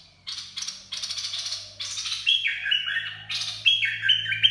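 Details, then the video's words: Bulbul singing the Dok Taeng style, for training young birds and luring birds: rough buzzy bursts lead into clear stepped whistled phrases, twice, with a faint low hum behind. "เสียงนกกรงดอกแตง เพลงน่าฝึกหัดลูกนก ล่อนกหัยคัก"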